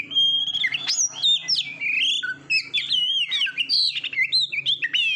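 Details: Oriental magpie-robin song recorded to train competition birds: a rich, fast stream of varied whistles, slurred rising and falling notes and rapid trills, continuous with barely a pause, plus a faint low hum underneath.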